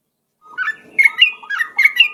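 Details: Lure song of the yellow-vented bulbul, ropel style, sung persistently: liquid, bubbly whistled notes jumping up and down in short phrases, five or six clear notes in quick succession against a quiet background.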